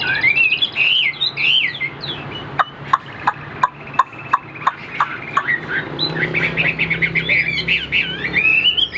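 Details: Caged Chinese Hwamei whose whistled phrases open and close the passage. In the middle, a series of sharp knocking clicks about every third of a second dominates.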